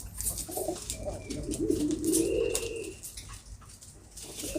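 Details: Pigeons kept by their owner give a low, rolling, throaty coo that swells in the middle and fades, with a faint thin whistle and a few clicks behind it.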